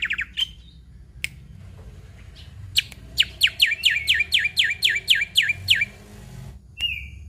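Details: Energetic 'gacor full isian' song of a Black-winged myna, known for mimicking other birds: scattered sharp notes and a whistle, then a run of about ten loud downslurred whistled notes, ending with a level whistle.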